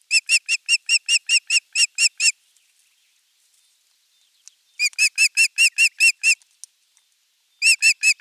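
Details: Osprey calling at the nest on a nest camera, morning of 23 June 2020, the day a half-kilo crucian carp arrived as the morning fish; rapid runs of sharp whistled chirps, three bursts with quiet gaps between.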